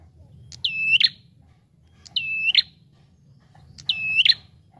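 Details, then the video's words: Bar-winged prinia calling persistently on a lure recording: three ringing, level whistles with a clicking start and a sharp ticking finish, repeated roughly every one and a half seconds over steady low background hum. "SUARA PIKAT Burung Prenjak Tamu Gacor"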